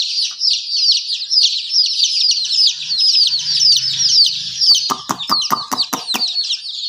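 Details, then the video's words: Young chickens chirping in a crowded chorus of piercing, repeated peeps, with a faint low hum midway and a series of sharp tapping clicks toward the end. "Murgi baby chirping sound"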